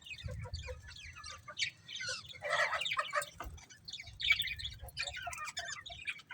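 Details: A group of colourful budgerigars chattering continuously, overlapping buzzy squawks and quick high chirps, a louder harsh burst in the middle, over a low rumbling background.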